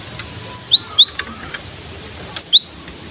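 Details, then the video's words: Cinereous tit, locally gelatik batu, in full song for luring young birds: two short groups of high sharp chirps followed by upswept whistled notes, separated by a quiet pause over light hiss. "KICAUAN BURUNG GELATIK BATU GACOR"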